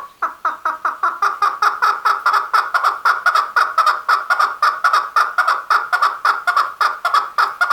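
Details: A male chukar calls in a long, steady series of hoarse chuck notes, several per second, keeping an even, chattering rhythm throughout with no other sounds.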